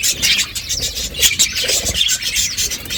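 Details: Budgerigars feeding with constant busy chirping: overlapping high warbles and twittering notes form a thick, unbroken chatter.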